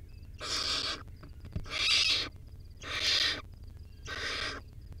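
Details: Baby barn owl in the wild with a rodent meal, nest-cam audio: four rough, noisy hisses spaced just over a second apart, each about half a second long, with a small tap between the first two.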